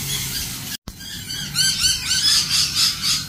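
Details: A flock of lorikeets: a brief gap of silence, then a dense run of shrill, ringing squawks repeated rapidly, several birds calling over one another, with steady low rumble underneath.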